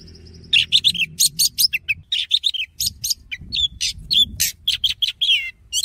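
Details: An Oriental magpie-robin delivers a dense, continuous wild-voice song for training, with fast sequences of sharp whistles, chirps and scratchy notes packed tightly together over a soft low rumble.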